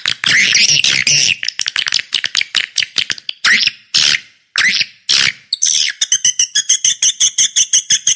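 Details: Lure call for attracting swiftlets: loud, rasping chirp bursts broken by short silences, ending in a rapid, regular string of clear, high, piping notes.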